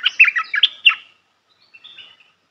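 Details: Red-whiskered bulbul, melodious training song for young birds: a loud rapid phrase of chirping, whistled notes in the first second, then quieter thin trailing whistles and silence.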